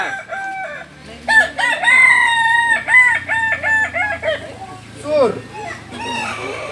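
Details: A Kokok Balenggek rooster, a native breed of Solok, West Sumatra (jalak and biriang types), crows in a long stepped series of short, level, nasal syllables, about eight in a row. A swooping note and further crowing follow.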